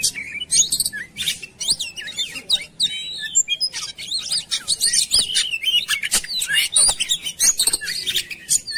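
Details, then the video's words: Oriental magpie-robin singing in a lure recording for prompting birds, with loud varied phrases of clicks, sweeping whistles and chattering notes continuing without a break for nearly nine seconds. "PANCINGAN KACER CEPAT GACOR"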